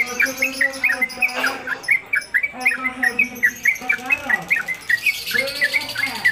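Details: Caged trucuk (Yellow-vented Bulbul), a newly acquired bird singing at home on a hanging hook, delivering its rapid 'ropelan' song: quick sharp chirped notes, about four per second, over low voices and background chatter.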